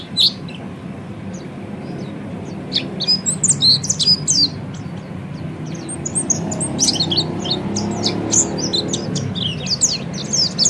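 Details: Oriental white-eye (peleci) ngeriwik song, used so listening birds learn ngeriwik and ngepelong; scattered high chirps, then clusters of sharp, hurried twitters that return after a lull, low hum underneath.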